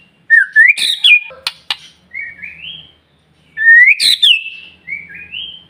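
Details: White-rumped shama delivering a stimulation song to prompt other shamas: a rising whistle bursting into a harsh note, clicks, then a soft buzzy upward phrase, repeated twice with pauses.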